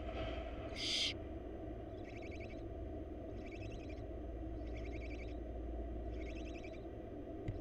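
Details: Begging from wild barn owl chicks being fed by their mother in a Florida nest box: one short, strong hissing screech, then four evenly spaced bursts of fast clicking, chattering notes, over low background rumble.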